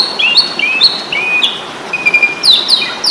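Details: Fighting song of the Asian pied starling, used to tutor songbirds: short clear whistled notes that slur downward, repeated in quick succession, with occasional sharp high chips over a constant hiss.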